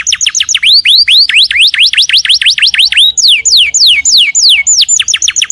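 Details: Domestic canary pours out a loud series of swooping whistles, rising and falling notes repeated several times a second, with a faint background twitter.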